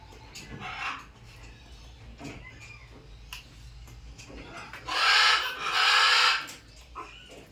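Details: Macaw calls: a few scattered softer squawks, then two loud, grating, broadband screeches back to back, followed by a short quieter call, with other faint bird chirps in the background.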